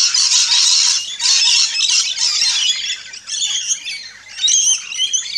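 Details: Rainbow lorikeets squawk almost continuously at a feeding station in an Australian backyard, a dense, harsh, high screeching that barely pauses across the clip.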